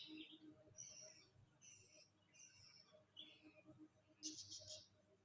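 Budgerigar chicks give raspy, high begging chirps in short bursts while waiting to be fed.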